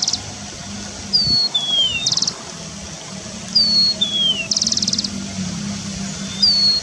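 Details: Wild starling recorded in forest, giving short clear whistled notes that slide downward, alternating with brief buzzy rattling bursts, repeated about every two to three seconds over a low steady background hum.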